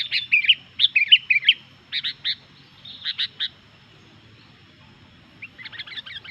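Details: Sooty-headed bulbul in lively song said to agitate other bulbuls: quick bursts of bubbly, chirping notes in short clusters, with pauses between phrases and a fresh burst at the end.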